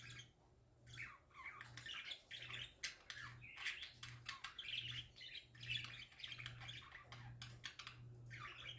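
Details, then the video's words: Several budgerigars warble happily in a busy, overlapping stream of chirps, squawks and chattering notes over a steady low hum. "Parakeets Singing Happy Parakeets Parakeet Sounds"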